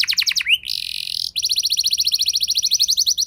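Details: Canary lure song with luxurious rolls, meant to provoke other canaries. Quick chopped notes lead into a sustained buzzy tone, then a fast, regular high trill with roughly eight notes per second.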